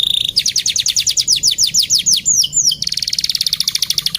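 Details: Male canary singing vigorously: a clear run of rapid, evenly spaced, downward-swept whistled notes, a brief twittering flourish, then a fast, steady, high trill of repeated notes.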